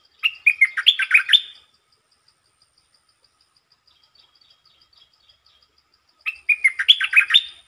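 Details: Two short, quick-opening phrases from a red-whiskered bulbul, each a bubbly cascade of warbled notes, separated by several seconds of near silence with a faint, regular ticking.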